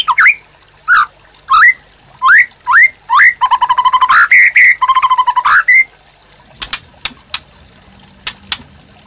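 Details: Training song of a white-rumped shama for caged birds: spaced upslurred whistles, then a fast buzzy trill and rich warbled notes, ending with sharp scattered clicks.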